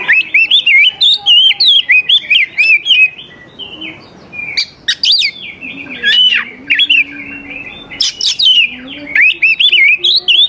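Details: Oriental magpie-robin song, used to get young wild birds singing in reply: a long, lively stream of whistled and warbled notes in fast phrases, pausing briefly midway before resuming with sharp high upslurs.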